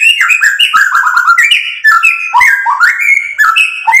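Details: White-rumped shama in full song, used to provoke rival birds: a continuous, fast stream of rich whistles, slurs and chattering notes mixing mid and high pitches, with no pauses.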